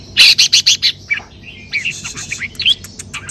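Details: Red-whiskered bulbul singing in the sai ble song style: a rapid burst of five loud, bright chirped notes, then a softer run of varied whistled and warbling notes.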